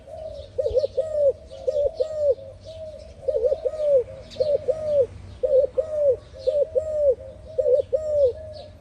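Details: A spotted dove, praised for its lovely voice, delivers a steady run of soft, mellow, arched coos, several short notes clustered into repeated phrases, while thin chirps of other birds flicker in the background.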